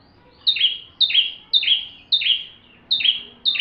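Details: Bar-winged prinia song meant for training magpie-robins: six bright, high notes each sliding down into a buzz, spaced about half a second apart.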